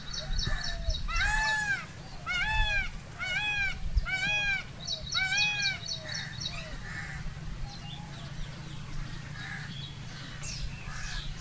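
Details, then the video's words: Indian peafowl: a peacock gives five loud, nasal, wailing calls about a second apart, with steady insect buzzing and a low background rumble. "peacock sound | peacock call & peacock dance | मोर ध्वनि || mor ki awaz"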